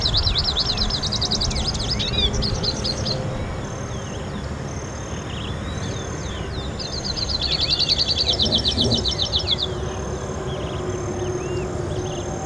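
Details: Hooded siskin recorded 6 January 2013: two bouts of rapid, high twittering trills with buzzy rattling notes and sliding chirps, the second bout longer and louder, set against constant low-pitched environmental rumble.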